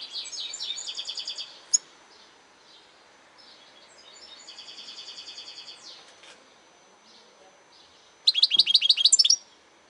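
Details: Goldfinch song in a noisy setting: an opening burst of quick chirps, a sharp click, then a quieter buzzy trill rising and fading mid-clip, ending with a loud burst of rapid twittering notes.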